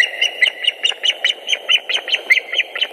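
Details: White-tailed eagles at their nest in Latvia on an April 2021 afternoon, the female bringing fish: rapid, shrill yelping notes repeated several times a second, rising and falling slightly, over a constant hiss.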